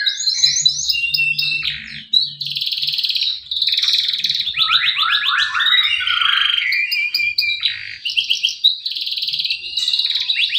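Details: Continuous male canary song played to coax quiet canaries into singing: dense, jumbled warbling with fast rolls, twangy slurred notes and high trills throughout.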